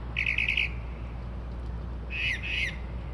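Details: Unidentified bird singing at 2:30-3:00am, mimicking car alarms and sparrows: two short bursts of rapid, buzzy, chattering notes over a steady low hum.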